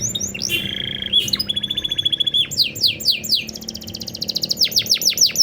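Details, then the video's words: Caged canary singing a master song in an ornamented style echoing a blackthroat, meant to set other birds singing: a sharp buzzy trill, steep downward-slurred whistles repeated in quick series, and a long fast rattle near the end. "masteran kenari cengkok super rasa blak strut - bikin burung lain kepancing gacor"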